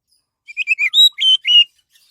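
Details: Orange-headed thrush singing, used to lure other birds into song: a phrase of six clear whistled notes, starting with short, slurred ones and ending with longer, steady, louder notes.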